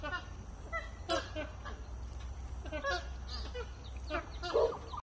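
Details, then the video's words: Magpie geese honking while feeding together, a chorus of repeated harmonic honks from many birds, some louder calls standing out near the start and end, above a deep steady drone. "Flock of magpie geese feeding and honking"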